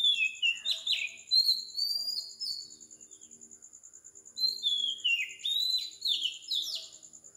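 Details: Morning song of an Oriental magpie-robin, recorded at 4 am on the tropical island of Sri Lanka: bursts of high descending whistles, a pause, then a fresh burst of sweet slurred notes.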